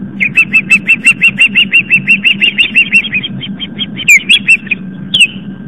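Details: Osprey mother defending her Long Island, New York nest from an intruder around 7:50 pm: a rapid chattering series of high chirps, then several loud falling whistles, a steady hum underneath.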